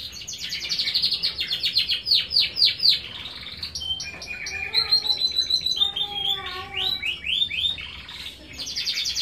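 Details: Domestic canary, a kept songbird, in lively gacor song: long bursts of fast, high repeated notes that break into rolling trills and a few lower, steady whistled tones.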